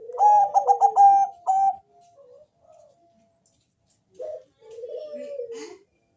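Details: Deep-voiced Bangkok zebra dove singing to draw calls from other doves: a loud, rapidly stuttered coo, then soft trailing notes and a gentle, falling drawn-out coo.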